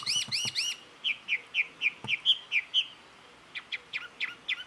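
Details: Jungle babbler from Karnataka, India, mimicking other birds' calls: three quick double-peaked whistles, then a run of about eight rising-falling slurred notes roughly every quarter second, ending in sharp high chips.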